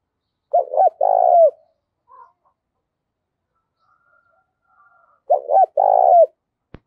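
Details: Lure coo of a spotted dove in the 'gáy thúc' manner: two phrases of double short hoots and a long descending coo, with a faint brief note between them and a click at the end.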